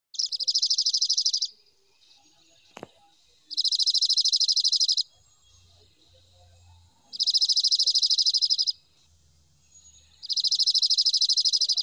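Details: Dark-eyed junco. Dry, rapid, even trill of identical notes, each burst lasting about one and a half seconds and repeated every three seconds or so, with a faint low rumble between bursts.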